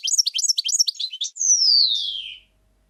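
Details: Camper-style song of a European goldfinch: a few rapid twittered phrases, then a long, clear whistle that slides down and fades out.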